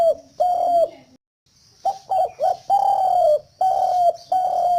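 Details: Spotted dove giving its cooing call: low mellow hooted notes in short series, some quick doubled coos then longer drawn-out level coos, with a steady high electronic whine in the background.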